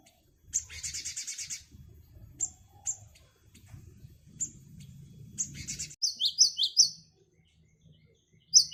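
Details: Great tit song variations, played to lure wild birds: scattered high chirps, then a run of quick two-note phrases, each a high note dropping to a lower one, with faint low rumbling underneath.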